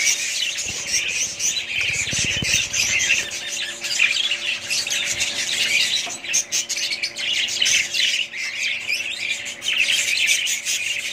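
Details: Constant high chattering and chirping from a group of budgerigars, with low rumbling bumps early on and a faint steady hum.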